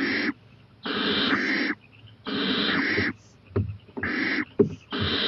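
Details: Owl at night, 11:26 pm on 23 April 2018, going to a porch and eyeing a playground; long harsh hissing screeches of about a second each, repeated with short gaps, plus a few soft knocks.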